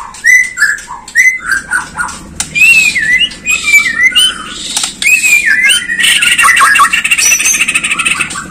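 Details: White-rumped shama song, played to provoke captive birds into singing and becoming agitated: loud, rich whistled phrases sliding up and down, mixed with harsh chattering notes, delivered almost without pause over a steady low hum.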